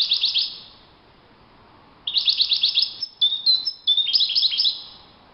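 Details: Out in the wild, a European goldfinch sings high, rapid chirping phrases. One short burst is followed by a longer run of tinkling twitters and thin whistled notes.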